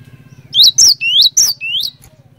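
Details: A gacor cinereous tit sings as a lure for others of its kind. Five loud, upward-sweeping whistles come in a brisk phrase, the second and fourth highest, over a low droning hum.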